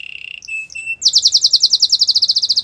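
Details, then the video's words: Gloster canary song: a short steady high trill, two brief notes, then a loud rapid series of repeated chirping syllables ending with a falling note. "Gloster canary singing"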